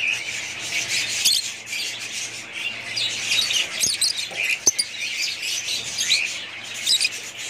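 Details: Pet budgerigars in a family group producing a constant busy chatter of high chirps and warbles, with a couple of sharp clicks or knocks partway through.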